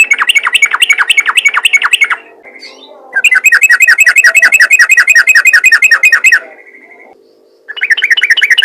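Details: Sooty-headed bulbul singing rapidly and persistently, meant to call other bulbuls into song: bursts of fast, evenly repeated chirping notes, about three per second, with short pauses between runs, over a steady low hum.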